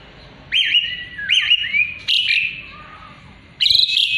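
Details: Asian pied starling singing actively, kept as a song tutor and lure for white-rumped shamas; loud whistled notes that swoop up then slide down, in four separate phrases over about four seconds, the last higher and buzzier.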